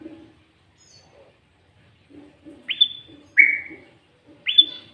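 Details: Sooty-headed bulbul in full song with green leafbird imitations, used as a lure to draw and provoke other bulbuls; three loud clear upslurred whistles, each rising then held, spaced about a second apart, with faint low cooing behind.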